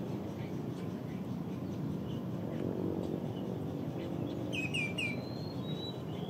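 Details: Common greenshank calling at the Las Piñas-Parañaque Critical Habitat and Ecotourism Area, Luzon, Philippines, April 2022: a quick series of three clear, slightly downslurred whistled notes near the end, over a heavy low rumble of background noise.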